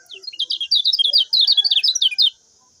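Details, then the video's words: Common iora song used as master recording to train other caged birds: a fast run of high, sharp chirping and twittering notes, densely repeated for about two seconds. "SUARA MASTERAN KECIAL KUNING"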